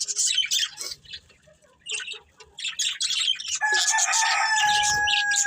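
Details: Breeding pair of budgerigars in busy chatter: quick high chirps, squeaks and warbled notes crowding together, then from mid-clip a steady pure tone with a higher overtone running under continued chirping.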